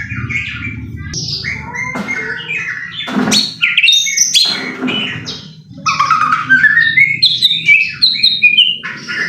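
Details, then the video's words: White-rumped shama song for provoking a bird into singing: varied whistled phrases, sharp clicks and a rising then falling run of bright notes, with low background hum. "pancingan murai batu AGAR BUNYI jitu untuk JADIKAN murai batu GACOR EMOSI"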